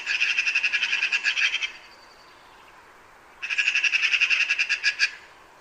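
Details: Eurasian magpie chattering: two loud bursts of quick, harsh, machine-gun-like notes, each lasting about a second and a half, separated by a quiet pause.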